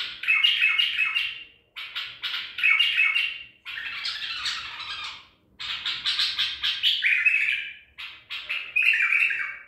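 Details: Wild-caught Baghdadi-type white-eared bulbul, taken at Medical City, recorded 14 April 2021, singing harsh, grating bursts of about a second each, some ending in a lower, steadier warbled note, separated by brief pauses in a quiet room.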